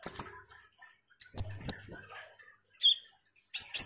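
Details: Common iora, a chattering lure song meant to provoke sunbirds: a few sharp high chips, then a run of three rising whistled slurs, a short lower note and a final burst of twitters.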